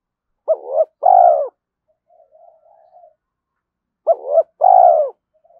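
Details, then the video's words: Early-morning spotted dove giving fight-provoking lure coos: two loud phrases about three seconds apart, each a brief hooked note followed by a drawn-out husky coo that sags at the end, with soft low murmuring between them. "Tiếng chim cu gáy thúc đấu và chiêu bổi lúc sáng sớm"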